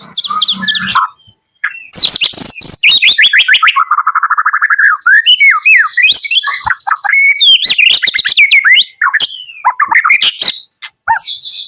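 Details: Long morning song from a white-rumped shama from Medan: sweeping whistled phrases, a rapid rattling series of clicks, mellow warbled notes and quick rising and falling slurs, continuing almost without pause.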